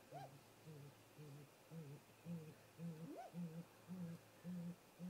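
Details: Late-afternoon visit by a great grey owl pair to their nest tree on 13 April 2018, caught by nest cam; deep hoots pulse steadily about twice a second beneath faint wavering notes and one upswept whistle.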